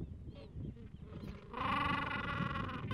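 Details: Gentoo penguin with two-week-old chicks sheltering beneath it from cold wind; after a second of wind noise, one loud, rich harmonic bray pulses steadily to the end.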